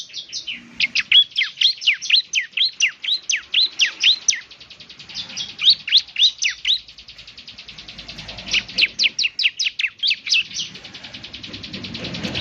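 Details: Vigorous song of a semi-mature bar-winged prinia, for morning playback to make birds reply. Strongly rhythmic runs of high, sharp, down-slurred chirps at about two per second, with a faint steady high hiss in between.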